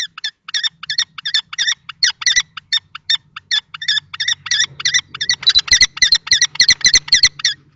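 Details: Two male common kestrels, one young in juvenile plumage and one older adult, fight over a nest box at Théding in March; rapid harsh repeated notes, about three or four a second, intensifying toward the end, with low background hum.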